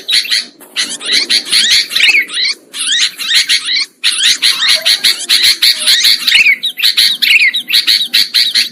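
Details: Sooty-headed bulbuls calling as a trapping lure, a continuous rowdy chorus of short bright chirps and bubbling phrases repeated rapidly, with a few brief gaps and a faint low rumble beneath.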